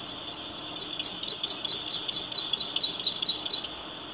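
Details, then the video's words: Misto or canario tipio, the saffron finch, in steady song: a rapid chain of high, clipped, rising chirps repeated evenly for over three seconds, then a short quiet tail. "Misto Cantando / Canario Tipio."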